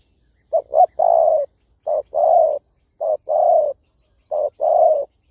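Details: Spotted dove calling to lure wild doves: three mellow cooing phrases, each two quick short notes and then a longer, slightly falling coo, spaced about a second apart with silence between, no other sounds.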